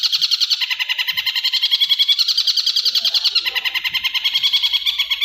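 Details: Masteran song of a long-tailed shrike, used for training: a continuous fast stream of harsh, buzzy pulses, about three to four each second. The pulses hold steady with a slight dip and recovery midway, with no other sounds.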